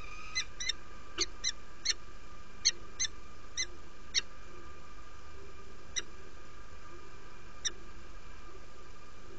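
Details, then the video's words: Female peregrine falcon at her Derby, UK nest, morning of 17 February 2017, inviting after arriving; quick series of crisp chips slowing to sparse single notes, roughly fourteen calls, low constant hum beneath. "Female arrived to the nest , invites"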